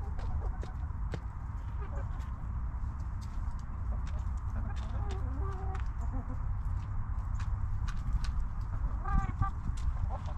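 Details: Backyard chickens relaxing in their cozy coop. Hens give soft, low clucks in short runs midway, then a quicker cluster of clucks near the end, above a constant low hum and scattered pecking clicks.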